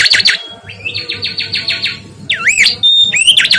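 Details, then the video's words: Energetic mangrove whistler song of quick, repeated swooping whistles, some rising and some dipping in loops, delivered in a rapid rolling series with a steady low hum beneath. "SUARA BURUNG KANCILAN BAKAU GACOR"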